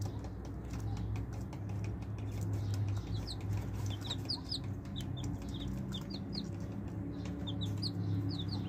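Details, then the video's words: Baby chicks peeping while eating raisins: thin, high, short peeps repeated irregularly, several in quick clusters, over a steady loud low hum. "Baby Chicks While Eating Raisin"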